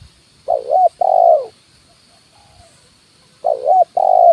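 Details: Decoy cooing of a spotted dove in 'kuk 1' style, on a branch and on the ground: two phrases about three seconds apart, each a quavering short coo then a sustained mellow coo, in a quiet background.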